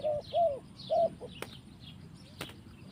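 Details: Spotted dove in the forest giving soft, arched cooing notes, two quick ones followed by a longer third, over a low murmur of background noise and faint distant chirps.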